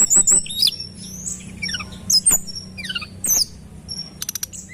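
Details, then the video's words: Lure recording of a Sunda robin (tledekan gunung): short bursts of high, swooping whistled phrases about once a second, ending in a quick, even series of clicks. "Tembakan Rapat Burung Tledekan Gunung Gacor dor"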